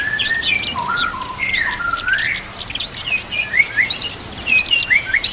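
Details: Training master of white-rumped shama fill-in song with natural ambience and trickling water: a mellow falling whistle opens, then a run of quick upslurred and downslurred notes and high twittering, over a faint hum.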